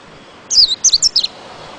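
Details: Short burst of white-eye twitter: a longer falling slur followed by three or four quick high chirps, all very high and thin.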